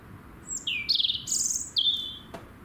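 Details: Singing robin delivers varied high phrases: a thin descending whistle, a fuller warbled note, a bright trill, then a short falling whistle, ending with a faint click.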